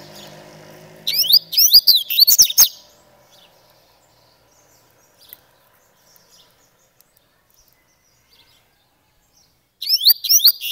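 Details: Coleiro Grego Paulista, a variable seedeater singing in a style from São Paulo; a quick burst of high, sharply descending whistled notes for about a second and a half, then long silence, then the same phrase starts again.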